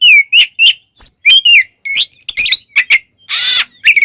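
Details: Song of a white-rumped shama used to provoke other shamas: a series of short rising and falling whistles, then quick chattering notes and a loud rasping burst before more whistles.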